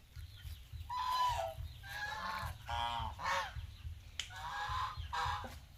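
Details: Geese on an Asian farm producing a series of harsh honks with gaps between them, one drawn-out falling call early on, and a sharp click partway through, over low mechanical rumble.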